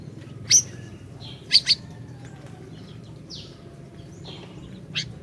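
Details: Orange-bellied leafbird singing energetically, a recording meant to lure a silent bird into song: sparse sharp high chirps, a quick double note near mid-clip and a final clear note, separated by pauses over faint low hum.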